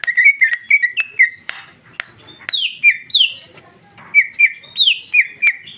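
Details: Ngeplong song of a female greater green leafbird, 2021, with rich isian: repeated bright whistled phrases, some sliding down from higher notes, interspersed with sharp ticks and brief pauses.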